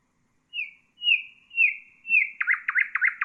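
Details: Common nightingale singing, meant for tutoring bulbuls and songbirds: four drawn-out falling whistles spaced half a second apart, breaking into a fast series of sharp repeated chopping notes.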